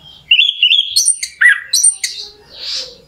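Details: Orange-headed thrush singing as a lure to stir another bird into song: a quick run of sweet high whistles and sharp clipped notes, ending in a soft rustling hiss.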